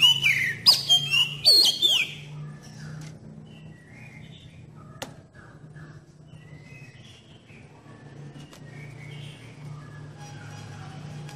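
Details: An Oriental magpie-robin song used as a lure for young birds: loud, sweet whistled phrases with rising and falling slurs at first, then softer scattered notes over a steady low hum.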